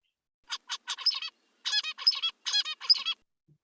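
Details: A male zebra finch sings his individually unique courtship song to a female: a few short nasal introductory notes, then a buzzy, harmonic phrase of stacked syllables repeated three times over about three seconds.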